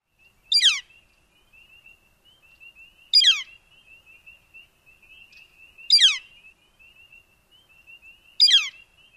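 Northern Flicker giving four loud, crisp, downslurred calls, one every two and a half seconds, over a faint, steady high-pitched hum.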